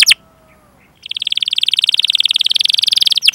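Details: Canary singing a rolling 'ngerol' trill, recorded to stimulate other canaries. A single sharp chirp comes first, then about a second of near silence. A dense, buzzy, fast-pulsing high trill follows and runs steadily to the end.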